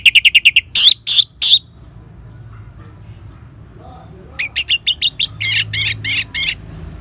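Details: Ngeban style sound of an orange-headed thrush, played as a lure to get caged birds singing: a fast string of high notes and three loud rasping bursts, a long quiet gap, then more rapid notes and longer buzzy bursts.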